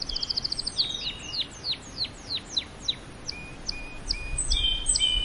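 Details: Canary song opening with a quick high trill, then a run of descending slurred whistles repeated about three per second, ending in short flat notes and louder chatter.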